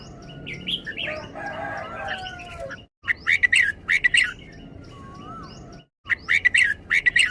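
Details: Red-whiskered bulbul singing in the doubled 'beun' style: jumbled chattering notes at first, then after a sharp cut come bursts of short, bright warbled phrases in quick runs. A faint lower sliding whistle sounds in the background.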